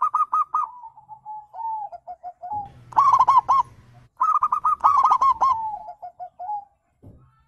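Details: Wild zebra dove song meant to coax silent birds into calling back: quick rippling coo trills, then trailing soft falling notes, repeated in three loud rolling bursts over a faint low droning hum.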